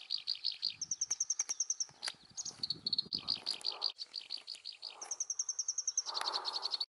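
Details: A black-browed reed warbler sings a fast, varied run of high chattering notes, dry ticking trills and clear repeated whistles while also catching insects, at Wakka Natural Flower Garden, Hokkaido, June 2020, with faint low rustling beneath.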